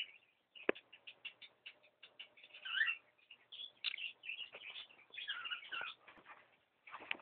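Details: Several pet cockatiels in a room chatter in quick bursts of scratchy chirps and short whistled notes, with a few louder squawks and a sharp click near the start.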